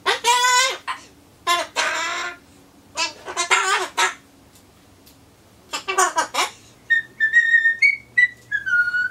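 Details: Indoor pet Solomons corella's monologue before pumpkin arrives. Several raspy spoken-word bursts give way to a run of clear, wavering whistled notes, like a tuneless attempt at the Happy Birthday song.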